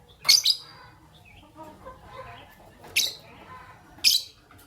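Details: Fischer's lovebirds, a white albino and a pastel green bird, calling in the morning: three sharp, shrill chirps, the first a quick double, spaced about a second and a half apart over quiet background.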